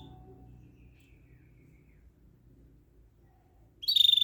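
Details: After nearly four seconds of near silence, a canary bursts into a loud, high, fast-pulsed buzzy trill that runs to the end.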